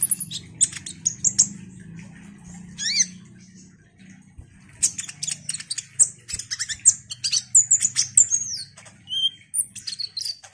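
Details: Ruby-cheeked sunbird singing busily as a lure for other sunbirds: scattered high chirps, a short pause, then a dense chattering run of sharp squeaks and whistled slurs, with a steady low hum underneath.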